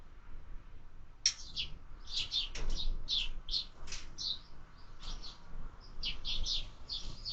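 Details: Sparrow at a feeder in the evening, 6 March 2024: short, high, scratchy chirps given in loose bursts about every half second, over a low background rumble.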